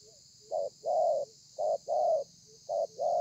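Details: Spotted dove giving its thổ pha cooing style, recorded 30 November 2020: three paired phrases, each a short low coo followed by a longer, slightly falling coo, with pauses between pairs over a steady high hiss.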